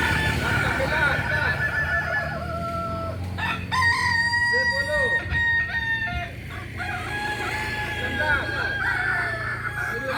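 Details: Kokok Balenggek rooster of Solok, West Sumatra, Indonesia, with repeated crows of stepped, drawn-out notes through the clip, one clear sustained crow in the middle, over a low background rumble.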